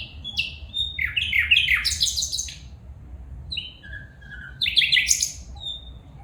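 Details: Female bulbul calling in bubbly, stacked, downward-stepping bursts, a few clear sliding whistles between them, then another rich chattering phrase and a short whistle at the end.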